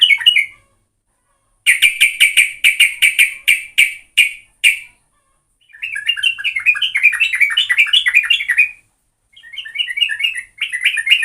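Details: Yellow-vented bulbul singing as a lure for other birds: a short warble, then a series of sharp, evenly spaced chip notes, followed by long rolling bubbly phrases and a final burst.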